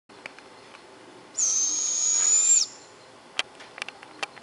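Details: One of about 5 to 6 Barred owls near Clarkesville, Georgia gives a single high, breathy, hissing screech lasting just over a second, followed by a few faint clicks.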